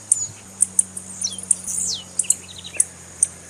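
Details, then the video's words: Female Blue-black grassquit (tiziu) calling, a call used to excite and stimulate males kept for song tournaments. High sharp chips repeat about twice a second, mixed with thin descending whistled slurs, over a steady low hum. "Piado de fêmea de tiziu Para Esquentar tiziu"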